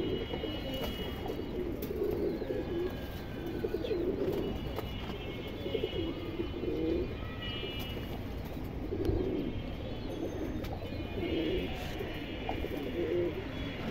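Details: A racing pair of silver pigeons, a female and a male, give low, soft, rolling coos, repeated in bursts every couple of seconds.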